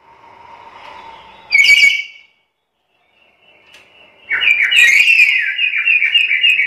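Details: A talkative black-capped lory. A faint, steady tone is followed by a short burst of raspy squawking. After a pause comes a long, loud, strained screeching call that wavers on one pitch for more than two seconds.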